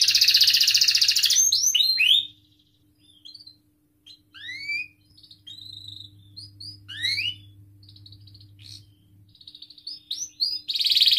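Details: Canary in long gacor singing, played to prompt other canaries to sing: a loud sustained trill, then scattered sharp chirps and swooping whistles, ending in another strong trill, with a low steady hum underneath.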